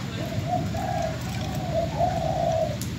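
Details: Caged spotted dove used as a decoy bird, from Bến Tre, Vietnam, since sold: a run of soft, hoarse, low cooing notes strung into a phrase over about two seconds, with a steady low hum beneath and people talking around it.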